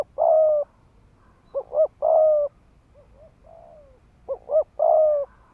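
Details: Ground decoy spotted dove in 'thúc gù' cooing to rouse males to fight: long coos alternating with paired short coos, plus a few softer, lower falling coos midway.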